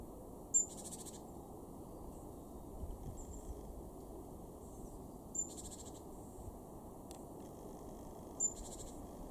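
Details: Great tit in a January 2023 garden at Weener, East Frisia, far northwest Germany: three widely spaced calls, each a piercing high note followed by a short buzzy churr, with quiet low background noise between.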